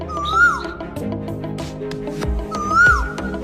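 A koel gives a clear, rising whistled note twice, about two and a half seconds apart, over steady background music.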